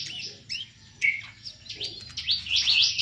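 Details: Plain-throated sunbird kept in a cage in Subang, singing ngobra style: scattered high chirps and short squeaky notes, ending in a loud, rapid, buzzy chattering trill.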